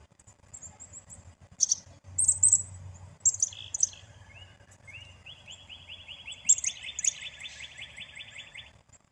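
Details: Black-capped chickadee giving scattered high, sharp chick notes, then a few lower slurred notes, building into a steady run of about fifteen quick buzzy dee notes near the end.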